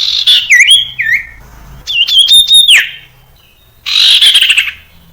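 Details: Common iora singing a varied song used as a lure for young birds learning to sing: slurred dipping whistles, a buzzy rising phrase, then a harsh rattling burst, with pauses between phrases.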